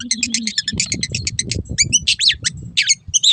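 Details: Long-tailed shrike song used as a master recording to train caged birds: rapid chattering burst of harsh repeated notes, then varied sharp whistled and slurred notes, loud and busy.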